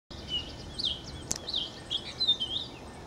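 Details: Purple finch giving a fast, high warbling song of short slurred notes, faint against steady background noise, with a sharp click partway through.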